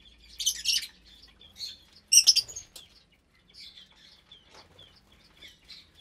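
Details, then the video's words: Aviary lovebirds, a mixed colony of around 25 including breeding pairs and chicks, at meal time in January 2023; two loud harsh screechy bursts, then scattered thin high chirps and short whistled notes. "Lovebird Meal Time"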